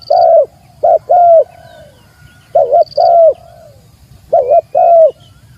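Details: Spotted dove challenging a rival, used as a calling lure. Three clear phrases of deep, soft coos, a short note followed by a longer downslurred one, repeat about every two seconds. A brief high whistle from another bird joins twice.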